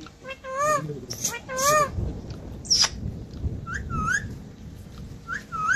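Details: Parrot talking and whistling: a few short speech-like warbles, then a sharp high squeak, followed by clear upward-sweeping whistles repeated about every second and a half, with quiet room noise between.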